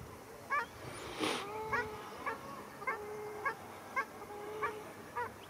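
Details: Ruddy shelduck squabble at Arucas, Gran Canaria, 13 February 2021: single nasal honks spaced about every half second, some drawn out, and one brief loud rushing noise early on.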